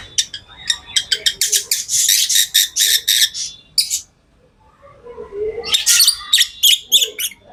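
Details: Pet lovebirds chattering in fast, harsh, high-pitched chirps, about three per second. After a quiet gap near the middle, another quick burst of shrill notes follows.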